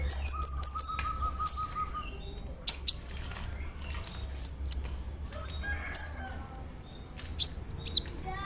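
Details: Brown-throated sunbird lure song meant to provoke other sunbirds: a fast run of four high sharp chirps, then scattered single piercing notes spaced by pauses, over a quiet background with a faint low steady tone early on.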